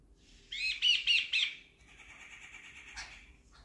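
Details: Jungle babbler, one of the birds sitting on a chair inside a house, giving four quick, harsh, rasping notes, then a softer nasal chatter that ends in a sharp squeak.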